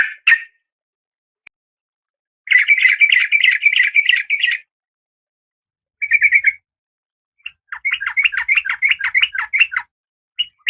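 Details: Female oriental magpie-robin in breeding condition calling the male: dense bursts of harsh, rapid chattering notes around two seconds long, separated by short silences, with a few isolated chips.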